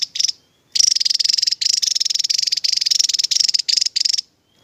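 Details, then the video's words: Javan tesia song in the tembakan style: high, rapid pulsed trills in bursts of about one second, repeated with short gaps, clean and without other sounds. "TEMBAKAN Burung TESIA JAWA,,, Mantap Tembakanya"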